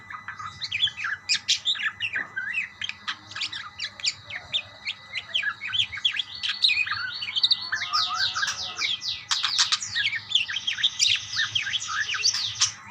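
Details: Budgerigars chirping to each other in a long lively chorus of thin rapid tweets and warbles, growing into a dense buzzy rattling chatter midway, over a steady faint hum.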